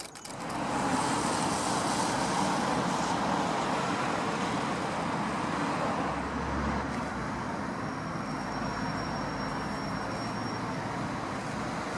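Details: Steady road traffic roars throughout, a broad wash of passing vehicles with no clear animal voice.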